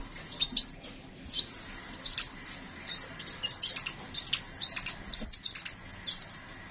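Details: Kolibri ninja singing a long rolling varied song used to tutor other cage birds: dense high chirps, short trills and sharp notes packed closely in quick bursts, steady throughout.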